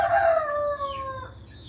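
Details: Rooster crowing in the morning: one loud, drawn-out crow with a strong opening that holds steady, then slowly fades and trails off over under two seconds.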